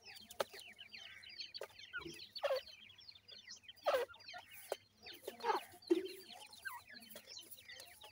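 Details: Many grey francolin chicks peep together, thin downward-sliding notes packed closely, punctuated by several loud rustling thumps and clicks, with a low steady hum underneath.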